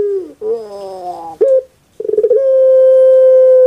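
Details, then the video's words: Captive puter pelung dove from Indonesia. A falling note leads into a harsh, gurgling warble and a short clipped note. After a pause, rattling notes give way to a long, steady, drawn-out tone. "PUTER PELUNG SUARA EMPUK RASANYA PAS DI HATI"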